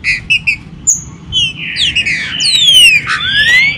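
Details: Green-winged saltator warm-up song played to stimulate captive birds, making them lively and active for the 2022 season; short buzzy notes lead into loud, clear whistled phrases that slide up and down, with overlapping whistles toward the end.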